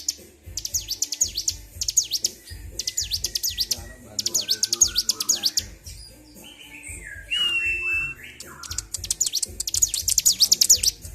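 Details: Excited Bar-winged prinia in a cage, provoked into nonstop ngedur singing on 26 February 2023: bursts of rapid sharp sweeping chips alternate with lower wavering whistled phrases, with faint voices and low knocks in the background.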